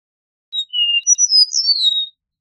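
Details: One Eastern meadowlark song: a short lead-in whistle, a lower held tone, then high, rapidly slurred whistles falling at the close, with a quiet background.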